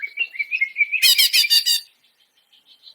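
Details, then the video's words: Greater green leafbird (cucak ijo) produces a wavering whistled trill that breaks into a loud, dense burst of harsh rapid notes. A few faint high notes follow. "SUARA MASTERAN CUCAK IJO GACOR"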